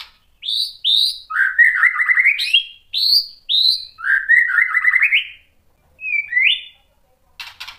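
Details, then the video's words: White-rumped shama song used to provoke rival shamas, with clear high whistled notes alternating with buzzy rattling warbles, phrases repeated in similar pairs, ending with a rising whistle. "KICAUAN MURAI BATU bikin NYAUT EMOSI jadi BUNYI GACOR NGEPLONG BONGKAR ISIAN | PANCINGAN MURAI"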